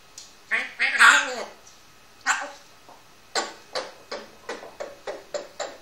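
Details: A one-year-old pet grey parrot vocalizing indoors: a burst of harmonic, voice-like calls, a pause, then a run of short, sharp, bark-like notes repeated roughly every half second.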